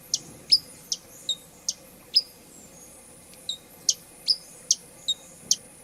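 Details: Hummingbird uttering a quick series of high, sharp chips, some doubled with a short thin tone after them, coming in loose bursts with a pause near the middle.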